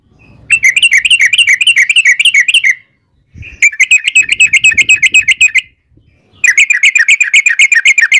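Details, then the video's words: Sooty-headed bulbul in lively gacor form with a long ropel (rapid-trill) song, used as a lure to make other bulbuls answer: three long bursts of fast, bubbly chattering notes, each roughly two seconds, separated by short pauses. "trucukan gacor ROPEL PANJANG buat pancingan trucukan agar bunyi jadikan burung trucuk gacor NYAUT"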